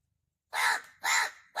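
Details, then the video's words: A black crow said to talk, in Wada, Palghar, India, gives loud harsh caws, two full calls about half a second apart and a third beginning at the end, each rasping and broad, after a silent start. "पालघर वाडा मधील बोलणारा काळ्या कावळा !!!"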